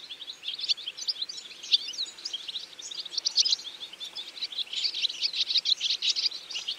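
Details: European goldfinches in an autumn feeding flock, many birds chattering with quick high tinkling chirps that grow denser toward the end.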